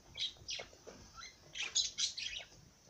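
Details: Parrot song made of quick, high squeaky notes and warbling chirps, some sliding downward, running almost continuously for three seconds.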